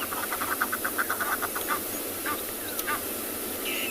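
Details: Egyptian geese on a South African game reserve on a June morning, just calling and not alarm calling, the loud calls mostly from females: a fast run of harsh honks, about six a second, then scattered calls over steady hiss.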